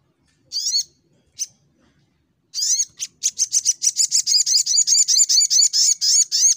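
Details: Brown-throated sunbird in fighter mode, shooting song: a few scattered squeaky notes, then an accelerating, steady string of harsh rising notes, about five per second, to the end.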